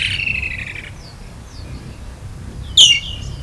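Woodland kingfisher: a fast, high, rattling trill that stops, two faint thin whistles, then a single loud, sharp downslurred note.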